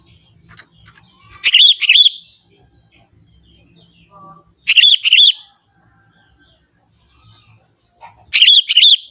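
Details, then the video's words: Lively young forest Sooty-headed Bulbul in natural song, giving three separate loud phrases of rich, gurgling whistled notes spaced roughly three seconds apart, with faint low background rumble. "suara kutilang muda hutan gacor suara asli tanpa isian"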